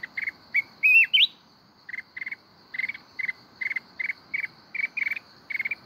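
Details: Mountain red-whiskered bulbul, forest-voice kít bổi song, Binh Thuan. An early warbling whistle rising steeply, then a long even series of short paired chirps, with a steady high insect drone.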